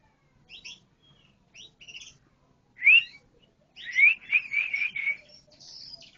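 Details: Canary giving scattered soft high chirps, one loud rising whistle, then a quick run of five or six repeated whistled notes ending in a thin, high buzzy note.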